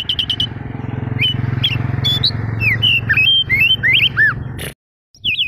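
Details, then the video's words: Oriental magpie-robin (kacer daput) in full song as a provoking lure for other birds: quick repeated notes, then looping whistled slides and downward curves, background hum, brief silence near the end. "pancingan kacer gacor ngotot memancing kacer diam langsung on jadi emosi nyaut!"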